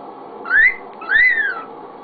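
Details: A male pet cockatiel, being talked to by his owner, gives two clear, mid-pitched whistles about three-quarters of a second apart, each rising then falling, in a quiet indoor room.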